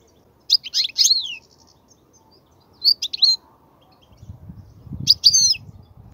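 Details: European goldfinch song used to teach young birds: three spaced bursts of high, jangling twitters, with a low rumbling background noise rising near the end.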